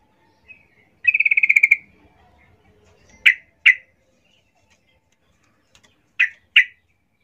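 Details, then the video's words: Female yellow-vented bulbul calling to males, used as a lure: a quick harsh chattering rattle, then pairs of sharp, loud chip notes with quiet gaps between them. "Trucuk BETINA Memanggil Jantan"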